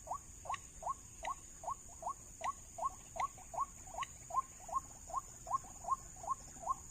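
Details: White-breasted waterhen calling in an oil palm plantation never lured before, responding to a trapping lure: a steady series of short rising notes, about two and a half per second, over constant high insect hiss.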